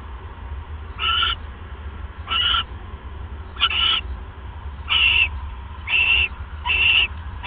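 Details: Owl at night, 11:37 pm on 28 January 2015, as the male delivers a good-sized mouse to his mate: six short, squeaky, harmonic calls spaced about a second apart over a steady low hum.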